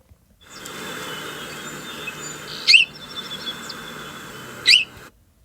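House Sparrow giving two short, chirpy call notes about two seconds apart, each a quick high chirp over a steady hiss of background noise.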